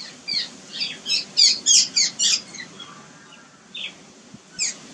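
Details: Jungle babblers around a nest in an ashok tree, adults acting aggressively as a shaky, half-feathered fledgling makes its first outing onto a lawn; a quick burst of about seven harsh, squeaky notes, then scattered single squeaks.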